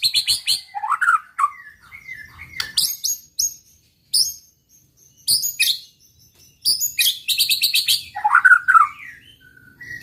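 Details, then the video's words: White-rumped shama song used to provoke rival birds into an aggressive response: varied bursts of loud whistles, rapid rattling trills and sharp high chirps separated by short pauses, with low background hum. "pancingan muraibatu gacor bikin murai lawan dengar AUTO EMOSI TINGGI"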